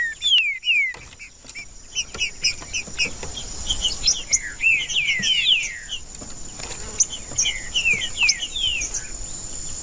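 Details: Trinca-ferro, the green-winged saltator, singing to warm up a bird that is not singing: repeated sweeping whistled notes, several phrases of slurred downward-bending whistles and short chips, against a constant high-pitched hiss.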